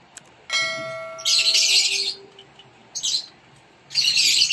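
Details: Rosy-faced lovebird (Agapornis roseicollis), called Lovebird Non Klep in Indonesia, feeding its chicks inside a nest box; a brief ringing tonal note opens, then harsh, hissing rasps come in bursts of about a second.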